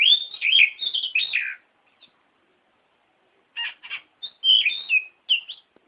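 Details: Kacer, the oriental magpie-robin, singing a training song for other birds: a rich burst of warbled, scratchy phrases, a long silent gap, then clipped harsh notes and bright whistled slurs.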